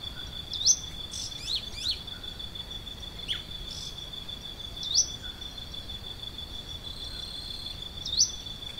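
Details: Plain xenops at Santa Maria do Salto, Minas Gerais, Brazil, giving sharp, high, upslurred chips about every three seconds over a steady high buzz of insects.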